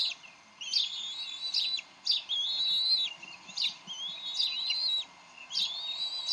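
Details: A pair of bald eagles at the Decorah nest quarrel over a fish on 30 May 2012, the female then feeding the eaglet. Drawn-out, slightly quavering whistles, each opened by a sharp note, come in four spaced phrases.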